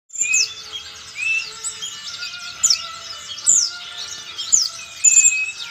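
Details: Sogon singing with mimicked white-eye song: a dense, continuous twittering of very high chirps, quick trills and slurred whistles, with steady faint tones running beneath.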